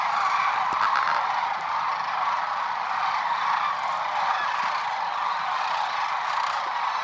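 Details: Migrating sandhill cranes along the Platte River at Gibbon, Nebraska, on 6 March 2016: a dense, continuous roar of many overlapping rolling calls from a large flock, with no single caller standing out.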